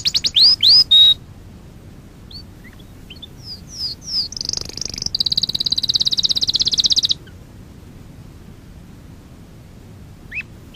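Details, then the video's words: Canary training song: a few rising whistles at the start, quiet stretches, then a burst of swept notes leading into a loud rapid high trill lasting about two seconds, followed by near silence. "Kanarya sesi kanarya eğitim/1 canary sing"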